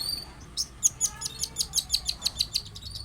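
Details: Lively long-tailed shrike singing, a lure to get another shrike calling: quick series of high, clipped notes repeated about four times a second after a brief thin whistle.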